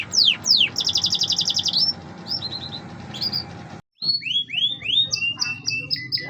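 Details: Canary singing, with two loud downward sweeps, a fast high trill, short warbled notes, a brief gap, then a lively sequence of arching whistles and chirps.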